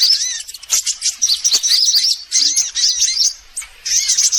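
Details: Several sunbird kinds heard on a trapping lure: squeaky arched chirps and rapid high twitter phrases, with a quieter break around three and a half seconds before the chirping resumes.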